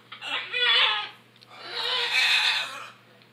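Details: Two drawn-out, grating macaw squeals, each lasting about a second, from noisy macaws, one aggressive and honking like a goose.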